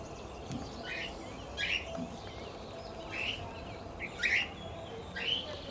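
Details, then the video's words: Pet lutino cockatiel kept with budgies and lovebirds, sounding a series of sharp, scratchy chirps roughly once a second, uneven in spacing, against a noisy background. "Lutino cockatiel Chirping Sounds"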